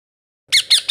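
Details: A blue-coloured baby ringneck parrot (rose-ringed parakeet) kept as a pet gives three harsh, buzzy squawks in quick succession, each with a downward-bending tone, after half a second of silence.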